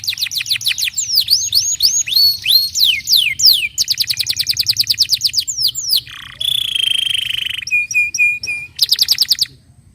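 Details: Canary, its song meant to get untrained canaries singing: varied tours of downward-sweeping whistles, quick even rattles, a low buzzy dip, a fine high trill and short repeated whistles, delivered almost nonstop.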